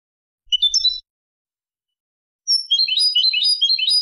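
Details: Tutoring recording of a European goldfinch in Malaga song style for goldfinch and hybrid chicks: a half-second chattering phrase, a silent gap, then a quick cascade of bright, high, bell-like twitters.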